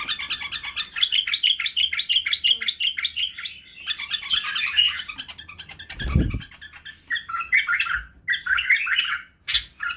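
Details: White-eared bulbul (Badrawi) song for training fledglings in singing and barwaz: a long continuous chattering warble, broken by a low thump near the middle, then clipped whistled phrases.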